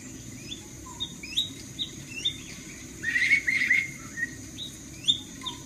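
An Oriental magpie-robin sings short, varied whistled phrases with quick chirps and a brief rich warble, over a steady high hiss and faint background noise.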